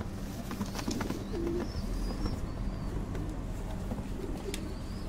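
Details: Fancy pigeons at a breeding farm: short low cooing notes rise briefly out of a steady electrical hum and a constant clatter of cage and wing noise, with faint higher squeaks scattered through.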